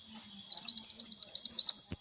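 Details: Vocal sunbird used as a lure, delivering a rapid, even series of high chirped notes, about twelve in quick rhythm, after a quiet start, closing with two sharp clicks over a steady whining tone.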